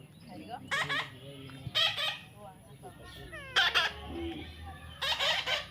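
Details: Baby parrot being tamed, calling with rough, broadband screeches about once a second or so, four main bursts, interspersed with a person's quiet coaxing speech and faint background hum.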